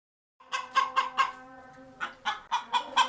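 A Naked Neck chicken gives two runs of short, nasal clucks, about four each, spaced roughly a quarter second apart with a brief pause between runs.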